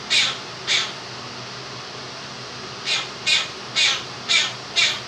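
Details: Two-year-old Quaker parrot kept as a pet, singing his 'If You're Happy and You Know It' tune indoors. Two hoarse notes, a pause, then five quick, rhythmic squawky beats; steady fan noise underneath.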